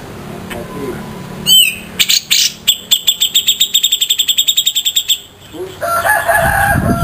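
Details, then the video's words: Grey-cheeked bulbul, Javan local versus Sumatran, in coarse 'besetan' style: a quick swooping note, then a dense run of grating repeated clicks for three seconds, closing with softer wavering whistled phrases. "Masteran super kasar raja besetan jenggot lokal vs sumatera"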